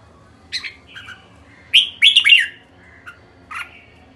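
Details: Red-whiskered bulbul uttering a quick cluster of loud, liquid chirps in the middle, with a few scattered softer notes before and after, against low room hum.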